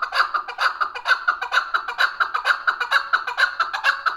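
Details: Chukar partridge, a hunting chakor in spirited mood, recorded June 18, 2023, calling a loud, fast, evenly paced run of harsh chuk notes, about two per second, with no pause and no other sounds.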